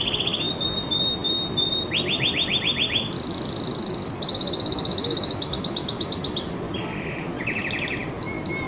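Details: Singing canary running through a sequence of distinct tours: steady whistles, quick rolling trills, a buzzy burst and faster chattering phrases, each shifting pitch, with continuous low background rumble.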